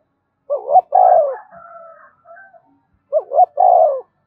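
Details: Spotted dove song to set captive birds calling: two coo phrases of two short rising notes and a long falling hoot, with a thin whistled tone drawn out between them.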